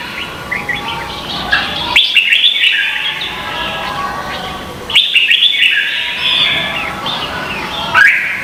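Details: Red-whiskered bulbul, Vietnam, competitive singing used to train and provoke other birds: jumbled, scratchy warbled phrases come in bursts roughly every three seconds, each starting abruptly and fading out.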